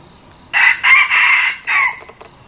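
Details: Crow of a new decoy red junglefowl used for attracting wild junglefowl: a staccato first syllable, two sustained harsh segments, then a separate short closing note, with faint rustling afterward.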